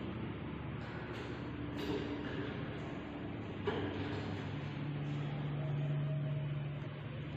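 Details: Quiet indoor room tone inside a budgie nest setting, with a steady low hum, a faint mechanical drone and a couple of soft knocks, without any clear bird call.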